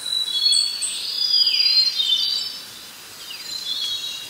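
Snowy-browed flycatcher giving thin, very high squeaky notes and short rising and falling slurs in quick succession, over a faint background hiss.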